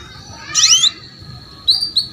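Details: Female canary luring the male to sing: a harsh buzzy burst of overlapping sweeps, a long thin steady whistle, then two short bright chirps.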